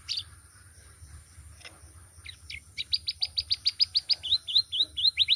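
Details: Canary, a loud, varied, melodious singer kept as a tutor for other birds, in full song: after quiet opening chirps, a fast trill of sharp high repeated notes builds and grows steadily louder.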